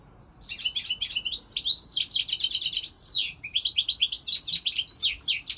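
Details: Unbroken European goldfinch song: dense, lively twittering with sweeping downslurred whistles and chattering notes, steady and loud throughout.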